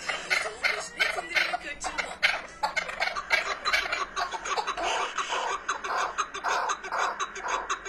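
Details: Chukar partridge calling continuously, with dense bursts of harsh chuck notes in fast rapid series that overlap one another and swell and fade.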